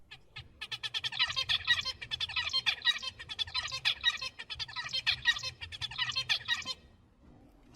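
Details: Zebra finch song, learned from adults and used for communication: a few short introductory notes, then a rapid, buzzy, nasal, high-pitched motif phrase repeated about three times over some six seconds.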